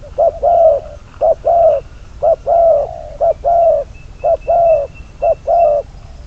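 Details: Trapping decoy spotted dove calling loudly: short coo then sustained hollow coo, repeated regularly about once a second, with a faint steady high-pitched tone behind.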